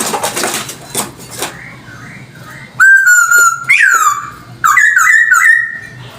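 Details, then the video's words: Chinese hwamei song for luring: soft distant notes at first, then a loud long level whistle, a steep falling slur and a bouncy string of rising-falling whistles. "Audio suara burung poksay hongkong || cocok untuk pancingan"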